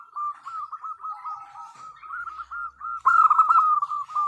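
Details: A female zebra dove calls for the male with a rapid, rolling chain of soft cooing notes that grows louder and denser toward the end.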